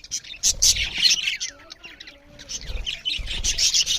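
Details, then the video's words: Budgerigars chirping loudly while eating, giving bursts of high, scratchy chirps and twitters in two clusters separated by a quieter gap with a few faint low tones. "Beautiful Budgerigars parrots Chariping loud with Something Budgerigars Eating"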